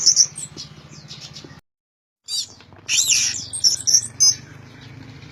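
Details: Orange-headed thrush singing loudly: bursts of high, sharp whistled and chirping phrases, broken by a short total silence, then resuming with rapid varied notes over a steady low hum.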